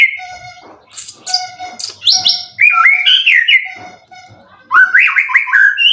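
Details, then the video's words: White-rumped shama kept for song contests, three moults, in 90% form with cililin-heavy material: sharp high whistles and chips, then bursts of rapid warbling and slurred notes in separate phrases. "Burung Murai prestasian udh kondisi 90% materi full clilin siap turun Lg!"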